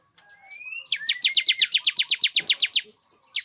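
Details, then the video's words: Bar-winged prinia male song for enticing a female to breed: soft rising whistles lead into a fast, steady string of about fourteen sharp high chips. "Suara pikat ciblek jantan agar betina cepat birahi"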